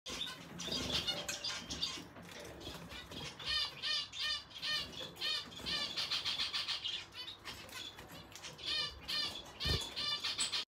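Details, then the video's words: A male Red Siskin gives a fast, high twittering song of repeated chirps and trills in quick bursts, with a few soft thumps like wing flutters. "Red Siskin male"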